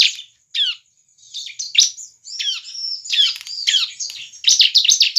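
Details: Bar-winged prinia singing for use as a lure to start other prinias singing; high downslurred squeaky notes quicken into a dense scratchy chattering run.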